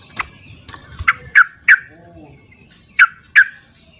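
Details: Wild sooty-headed bulbul, recorded to coax non-singing birds: a run of sharp, falling notes about a third of a second apart, a short gap, then two more, with faint low background noise.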